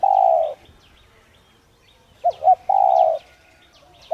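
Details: Spotted dove coo meant to stimulate doves to call. The tail of one long coo, a silence, then a full phrase of two short notes and a steady drawn-out coo, and the start of another. Faint chirps of other birds.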